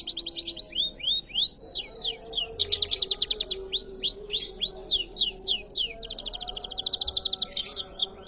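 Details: Canary delivering riwikan-style song: rapid high trills alternate with runs of sharp downward-sweeping whistled notes, singing continuously throughout with barely a pause, steady low background hum.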